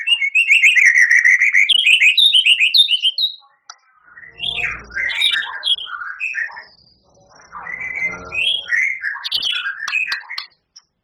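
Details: White-rumped shama, a champion singer in full voice with long fill-in phrases. A sustained, rapidly warbling whistled phrase is followed after a short gap by scattered, varied chirps and slurred notes with light background noise.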